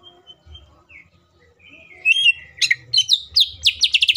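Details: Green leafbird singing a richly varied song meant as a lure to rouse other leafbirds into song; quiet opening notes, then loud rapid chirps, sweeping whistles and a fast descending trill run.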